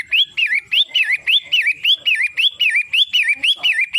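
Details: Long-tailed shrike, known locally as pentet matahari, giving a loud whistled phrase that rises then dips in a wavy slur, repeated about twice a second without pause; faint clicking between notes.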